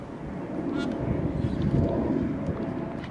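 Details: Large flock of magpie geese feeding and flying near Darwin, a continuous low babble of overlapping honks rising and falling, with a brief high whistle of another bird early on.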